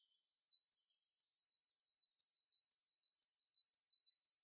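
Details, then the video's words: Winter birdsong after a quiet start: a steady run of high, sharp two-part notes repeated roughly twice per second, clean and clear with no other sounds. "Bird Sounds In winter"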